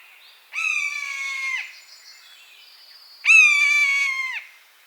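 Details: Two long plaintive mews from a buzzard in its natural habitat, each about a second, steady in pitch then dropping sharply at the close, separated by a quiet gap with faint high bird notes.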